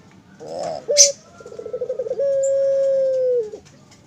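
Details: Captive Barbary dove at a bird farm giving its snoring, crying-style coo. A brief clatter precedes a run of quick pulsed notes, which merges into one long, steady, low coo that dips slightly at the end.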